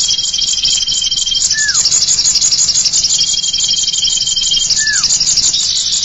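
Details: Lure sound of the common iora: two long, steady, thin whistles, each followed by a short falling slur, over a steady high buzzing chatter throughout.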